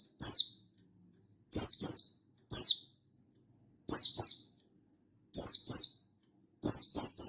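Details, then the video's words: Mountain white-eye, a caged bird in lively full song used to call a rival and provoke other white-eyes into singing; high, thin descending whistled phrases in short bursts, often doubled or tripled, repeated every one to two seconds with silent gaps. "Burung Buxtoni Gacor Ngalas Memanggil Lawan"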